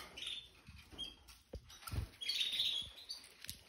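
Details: Red Factor canaries kept indoors, two adult pairs plus babies from spring 2023 nearing the end of molt, just given fresh seed in a cleaned cage. Bright chirps and a brief warbled run over clicks and taps.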